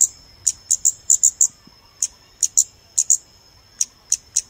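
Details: Scarlet-backed flowerpecker calls used as playback to lure birds for photography: sharp, very high clicking ticks around 7–8k, in irregular bursts of two to four, with a faint steady high tone underneath.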